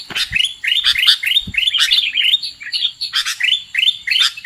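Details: Sooty-headed bulbul lure call used for trapping birds: bright chirping phrases rising and falling between mid and high pitch, delivered in quick overlapping bursts several times a second, with a few soft low thumps.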